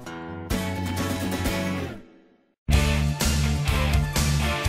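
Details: Strummed guitar music that breaks off into a brief silence, then resumes loudly, with no animal voice.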